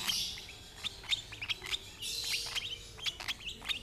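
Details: Lovebird chick being fed by its older sibling of the same parent pair: quick, piercing, clicky chirps in an uneven rapid series, interrupted by a harsh, buzzy rasp midway.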